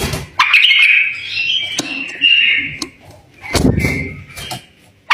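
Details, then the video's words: A tame bulbul gives fluty, warbling song phrases repeated with short gaps, intended to stimulate other bulbuls into singing; sharp taps and a rustling thud break in midway. "تغريد بلبل أليف التحفيز البلابل علئ تغريد"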